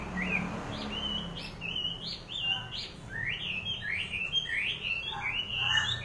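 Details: Wambi bird giving a rapid series of short whistled notes, each sliding up then down, repeated over six seconds with a faint background hiss.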